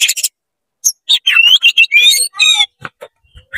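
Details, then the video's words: Oriental magpie-robin singing energetically with tail spread, meant to rouse other magpie-robins. Rapid run of varied high whistles, sweeping slurred notes and buzzy trills in quick bursts, ending in a few sharp, harsh clicking notes with short gaps between. "CEPAT GACOR BUKA EKOR DONGKRAK EMOSI KACER KONSLET BIKIN KACER LAIN PANAS"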